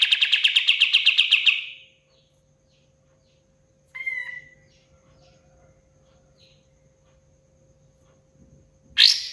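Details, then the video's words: Kapas tembak, the pied fantail, pours out a quick rattling burst of about a dozen evenly spaced notes. A pause follows, then a thin whistled slur and a final sharp burst. "SUARA BURUNG KAPAS TEMBAK KATEM GACOR"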